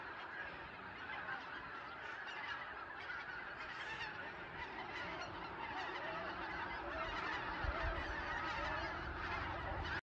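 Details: Greater white-fronted geese, wild birds near Mount Iwaki, giving a continuous babble of honking calls from many birds together, steady throughout with slight swells in loudness.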